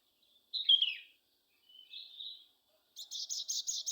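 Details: Sogon song played to lure a caged bird into singing: a sharp chirped note, then a softer whistled phrase, then a rapid run of about six buzzy pulsed notes, high-pitched, in otherwise quiet surroundings.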